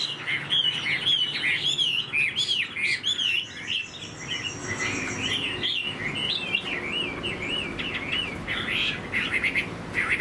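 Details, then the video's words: A tame, caged Chinese hwamei, kept about three and a half years, sings a loud, continuous run of rich, looping whistles and quick warbled phrases, varied and fluid throughout, with no other sounds clearly heard. "Chim thuần sách lồng hót"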